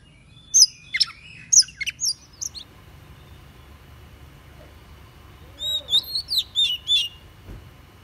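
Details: An Oriental magpie-robin sings bright, varied whistles in two short bursts separated by a pause, in a lure recording used to call in wild birds.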